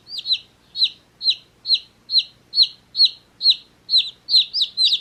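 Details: Day-old baby chickens playing in a summer hat peep steadily, bright high downslurred chirps repeated roughly every half second, growing quicker and overlapping toward the end.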